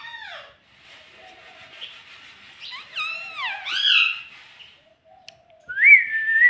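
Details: Talking pet parrot, said to say "mitthu" and "mummy", gives shrill falling squawks, then a burst of sliding, harmonic-rich speech-like notes, ending in a steady high whistled tone indoors.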